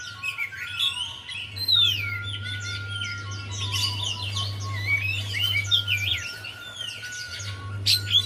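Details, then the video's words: Javan white-eye warbling to draw song from a lazy singer; dense, jumbled high twittering that runs almost nonstop, with a steady hum and a faint continuous tone. "Buat Pancingan Untuk Poci Yg Malas Bunyi"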